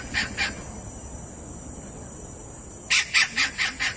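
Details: Kingfisher calling: two harsh, rasping notes, a pause, then a rapid run of five loud grating notes about four per second, over a steady high-pitched hiss.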